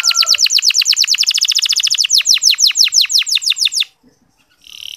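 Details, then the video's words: Canary song played as a lure to stimulate sluggish male canaries to sing: a long rapid trill of bright descending sweeps, about thirteen per second, slowing toward the end, then a short pause and a faint restart. "Suara Kenari Ngeriwik Halus"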